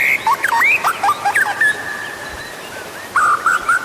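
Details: White-rumped shama song used to prompt other birds; bouncing, looping whistles give way to a long level whistle, then a few wavering whistled phrases after a short pause.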